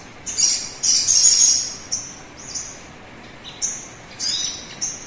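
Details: Sogon bird song used as a lure to prompt other birds into singing: high, thin, buzzy chirp bursts in uneven clusters, some rapid trills, with short quiet gaps between.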